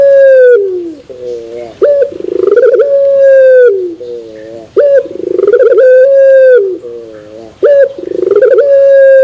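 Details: Long-cooing turtle dove of the puter pelung type, its metallic terasan ending heard as a sustained, level tone after a falling first note and a rolling, pulsed middle, repeated three times.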